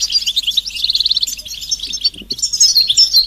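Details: European goldfinch song in the betbeta and setseta styles, mating and readiness calls used to stimulate silent males to sing: a dense, high, tinkling twitter of rapid chirps and trills, with a brief break in the middle before the chattering resumes.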